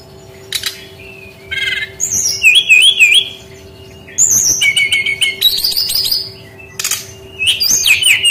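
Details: Brown-chested jungle flycatcher lure song meant to trigger singing in young wild-caught birds that are slow to sing. Wavering, warbled whistles come in phrases separated by short pauses, mixed with scratchy clicks, over a steady hum.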